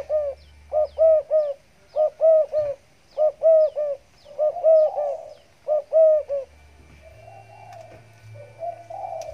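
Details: Caged zebra dove of the stammering type, just finished bathing, cooing steadily: clear rounded coo notes in rapid groups of two or three, repeating about once a second, then fading into soft murmuring.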